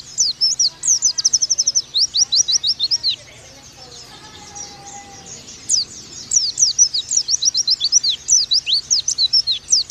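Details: Pleci training song for the nembak style: an oriental white-eye gives long runs of quick, high, sharp chirps and downward slurs. A brief softer gap in the middle holds a lower thin whistle.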